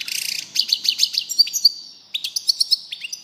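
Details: Goldfinch twittering: a run of evenly spaced bright chirps, two thin whistled notes, then a pause and another quick series of chirps.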